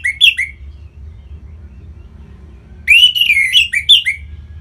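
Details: Orange-headed thrush in Singaraja, North Bali, singing to encourage other birds: short slurred whistles, a quiet pause, then a longer rich phrase of rising and falling whistled notes.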